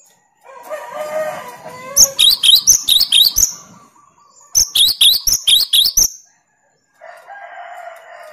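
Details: Cinereous tit delivering 'tembakan' shots meant to challenge rivals: two bursts of piercing, high, looping double notes, roughly four per second. A lower, harsher call is heard in the background before, between and after them.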